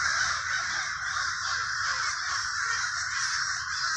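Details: Many crows calling together in Villa Park, Trenton, NJ: an unbroken, hoarse cawing mass, loud and even throughout, with no other clear sounds.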